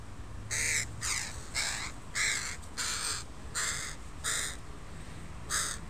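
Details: Crows of a family with young, in a park on a Sunday: a run of seven harsh, rasping caws, each about half a second long and spaced roughly every three quarters of a second, over faint low background hum.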